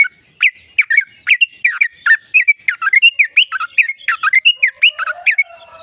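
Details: Rapid chattering song of a sooty-headed bulbul, the long trill used to stimulate caged birds: dense, nonstop bubbly and warbling notes with brief whistled slurs, continuing throughout.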